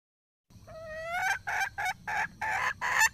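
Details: Red junglefowl hen in the wild gives one rising, stretched note that breaks into a few loud, rasping clucks spaced about two per second.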